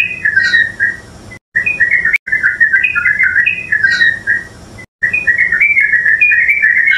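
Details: Yellow-vented bulbul, known in Tagalog as purak or luklak, from the Philippines: bubbly, gurgling chatter of quick mid-pitched notes with occasional thin higher notes, phrases running several seconds and broken by abrupt silent cuts.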